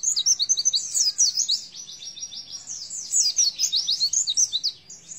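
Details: Oriental white-eye delivering 'nembak isian' song, a continuous stream of very high, quick chirps and tumbling twittered notes with barely any break over five seconds.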